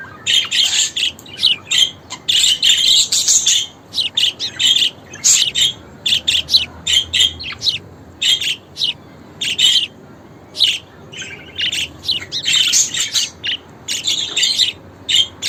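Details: Budgerigars chatter in a busy stream of scratchy chirps, squawks and rapid warbled notes, sounds used to communicate, attract attention or seek a reaction.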